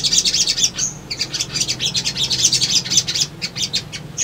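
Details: Male sogon sunbird used as a lure to make young birds respond and look for a rival: a continuous stream of high, fast chittering notes with one short thin whistle near the start, over a low background hum.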